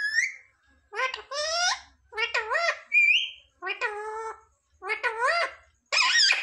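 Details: Indoor pet parrot mimicking human words such as "mummy papa": a run of wavering, strongly harmonic voice-like syllables in short bursts, one brief clear whistled note midway, pauses between phrases.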